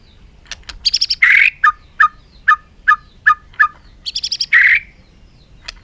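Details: Bird calling: a run of short, evenly spaced double notes at middle pitch, set between two louder, harsher buzzy bursts with high overtones, in a quiet setting.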